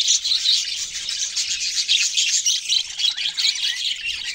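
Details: Budgerigars chirping: a dense, continuous chatter of high, rapid twittering notes from several birds at once, with steady overlapping tweets throughout.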